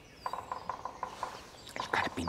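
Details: A European green woodpecker, busy in the forest of Andorra and heard from a camouflage hide, gives a quick series of ringing, evenly spaced notes, followed by a man speaking.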